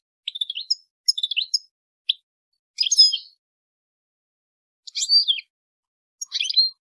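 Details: Female European goldfinch calling to encourage a male to mate, giving quick high twittering chirp clusters, some longer and buzzier, separated by pauses of up to two seconds on a quiet background.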